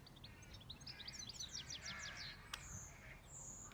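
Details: Bird on a farm delivers a fast, rattling series of high chirped notes that speeds into a dense trill, then fades to scattered faint calls against low background hum.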